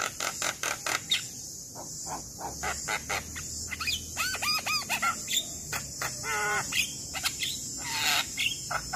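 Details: Black-winged myna in energetic song, used as a master recording to coax young, quiet mynas into singing: harsh rasping bursts mixed with looping whistled notes and bending tonal phrases, over a steady high background hiss and low hum.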